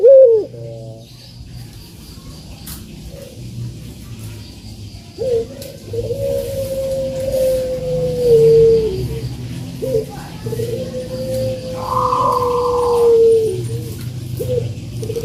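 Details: Spotted dove (puter) song meant to prompt reluctant birds to call: after a quiet start, two long, level, low coos sound in the second half, over a steady low background hum.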